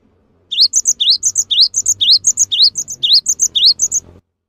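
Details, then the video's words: Cinereous tit singing at length to train other birds: upward-sweeping note plus two high whistles, a pattern repeated about twice a second for nearly four seconds, with low hum and room noise behind. "GELATIK BATU GACOR | WUCIT PANJANGNYA BIKIN GELATIK LAIN JADI TERPANCING UNTUK IKUT BUNYI"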